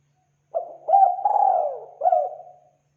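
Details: Lure call of the spotted dove: one clear cooing phrase of a short lead note, a rising hooted coo, a long wavering coo and a final falling note.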